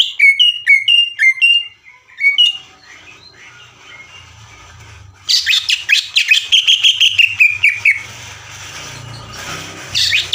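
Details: Greater green leafbird song intended to provoke other leafbirds: a run of clear whistled notes repeated evenly, a quieter pause over a low hum, then a loud, rapid, machine-gun chatter of sharp high notes, ending with a short burst.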